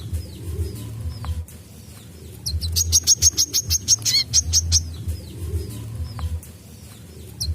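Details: Brown-throated sunbird song used as training material, delivered vigorously: thin, high downslurred chips at first, then a quick run of sharp high ticks near three per second lasting about two seconds, followed by softer chips again, over a persistent low hum.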